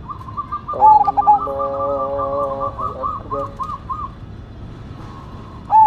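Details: Cemani Majapahit zebra dove (perkutut) in lively song. A cooing phrase is partly masked by a layered sustained harmonic tone, then a series of soft arched coos follows. A new loud phrase begins at the very end.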